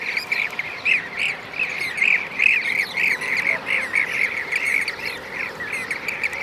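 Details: Repeated mellow rolling 'prrip' notes of a Blue-cheeked bee-eater, Merops persicus, recorded in Şanlıurfa, Turkey, in 2016. The notes come in quick regular pulses over a background of more bee-eaters and thin, high chirps.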